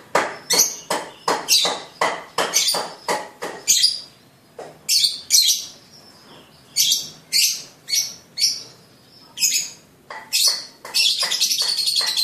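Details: Blue lovebird, young and in the mastering stage of ngekek training, gives rapid strings of loud piercing chirps with short pauses, closing in a brief buzzy chattering trill.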